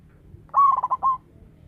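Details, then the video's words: Single phrase from a loud local zebra dove kept as a lure bird: a quick stammering series of short coos followed by one sustained closing note, over a quiet background. "Perkutut lokal gacor suara besar"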